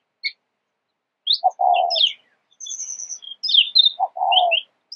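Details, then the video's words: Oriental magpie-robin singing varied, high, sweet whistled phrases with some slurred notes, broken twice by a lower, husky burst. "鵲鴝 Oriental Magpie Robin"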